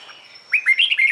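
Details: Red-whiskered bulbul morning song meant to coax other bulbuls into singing; a fast run of five or six lilting, rising and falling whistled notes follows a faint steady background tone.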